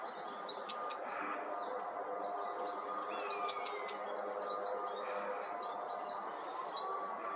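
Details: Red-flanked bluetail calling in excitement as other mountain birds flock in: five short, high, upslurred whistled notes, each with a brief ringing tail, spaced about one to three seconds apart over steady low background noise.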